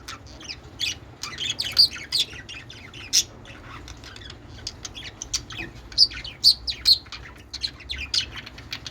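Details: Several budgerigars playing on a peach in mating behaviour chirp busily, with rapid, irregular high tweets and a few louder piercing squeaks.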